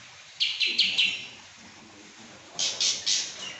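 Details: Pekin robin giving two quick bursts of four and three loud, piercing high chirps, separated by a quiet pause over faint background hiss.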